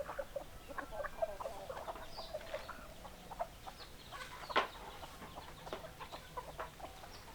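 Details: Chickens cluck in quick, irregular bursts of short notes, with one sharp louder cluck partway through and soft high chirps behind.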